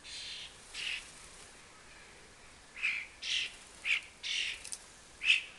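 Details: Fledgling common starlings begging as they trail their parents around a fat ball, a commonly heard sound in this season; repeated harsh, scratchy screeches, some softer and some sharp and loud, irregularly spaced.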